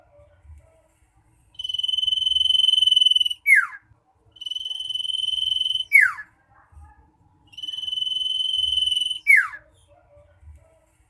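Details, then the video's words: Common iora giving loud, persistent song meant to coax reluctant caged birds to sing: three phrases about three seconds apart, each a long even buzzy whistle ending in a swift falling slur, in quiet surroundings. "suara kicau cipoh/sirtu nyaring ngotot cocok untuk pancingan burung malas bunyi"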